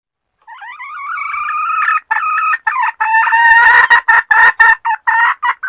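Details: Female red junglefowl calling the male: a drawn, wavering nasal note lasting about a second and a half, then a run of short harsh clucking notes repeated about twice a second, growing louder toward the end.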